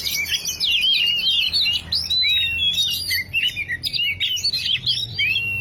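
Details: Lure song of an oriental magpie-robin, meant to start a silent bird singing: dense, varied whistled phrases with quick up-and-down slurs and trills, delivered continuously and loudly.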